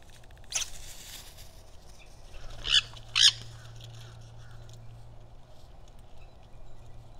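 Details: Two Nanday conures visit a backyard bird feeder in Nokomis, Sarasota County, Florida. A thin cry is followed by two harsh, loud screeches in quick succession midway, heard over a steady low hum and background noise.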